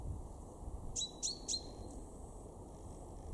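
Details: Three quick, bright 'pink' calls from a male common chaffinch in a garden at Weener, East Frisia, northwest Germany, March 2023, each a sharp downward chip with a short tonal ring. Quiet otherwise.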